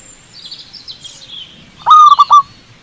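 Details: Zebra dove singing in the wild from a cable: after faint high twittering from other birds, one loud burst of three throaty, trilled coo notes in rapid succession.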